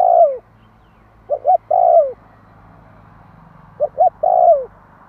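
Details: Spotted dove song meant to draw a quick response from wild doves: widely spaced phrases, each two brief notes and then a drawn-out falling coo, with a couple of seconds of quiet between them.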